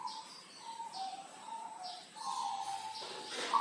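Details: A local zebra dove from Tulungagung gives soft, low cooing notes in a quick run, then a longer sustained coo, with faint higher chirps behind.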